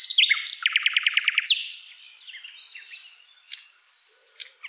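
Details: Common nightingale with a sharp opening, then a quick burst of about seven repeated notes and a rising flourish, trailing off into softer scattered chirps and separate short calls.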